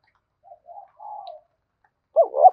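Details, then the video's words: Spotted dove in 'thúc bổi' cooing: soft, low murmured notes and a faint drawn-out coo, then a louder wavering double-note phrase cut off at the end. "tiếng cu gáy thúc bổi cực sung"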